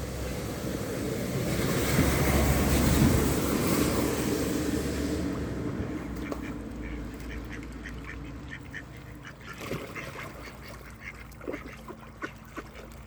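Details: Hungry village ducks being fed on a cold evening in Flintshire, North Wales; loud rushing wind-like noise fills the first five seconds, then rapid quacks come through in quick repeated bursts.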